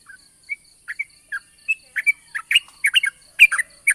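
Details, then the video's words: Yellow-vented bulbul in the morning, a long 'ropel panjang' song used as a lure to make other bulbuls sing: short bubbly chirped notes, sparse at first, then growing denser and louder, over a faint steady high hum. "pancingan burung trucukan ropel panjang di pagi hari bagus untuk memancing trucuk bahan agar bunyi"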